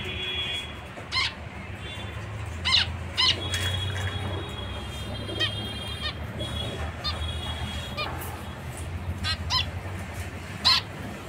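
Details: Scattered short nasal honks from zebra finches, isolated beeps every second or two above a continuous low droning hum.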